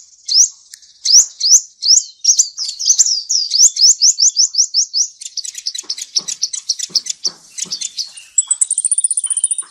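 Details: Sunbird singing, presented as a clean recording without background noise: a long series of sharp upslurred chirps quickening into rapid ticking notes, ending with a fine, very high trill.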